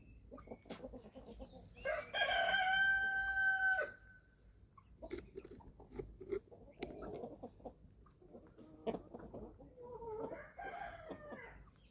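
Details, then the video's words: Young chickens, eleven weeks old, feeding on a small German family farm: a drawn-out loud call of about two seconds stands out amid scattered clucks, pecking taps and soft chatter. "11 Week Old Chicks Feeding Time – 28 Minutes of Relaxing Farm Sounds"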